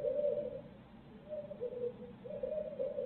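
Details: Barred owl from a live feed in Midtown Tulsa giving a run of low hoots: a long note, a pause, then wavering hoots that rise and fall, heard against a faint constant hum.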